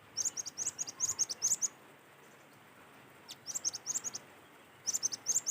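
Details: Cinereous tit singing outdoors, used to get other tits to sing: rapid strings of high, ringing paired notes, repeated in three long bursts separated by short pauses, with a faint low hum.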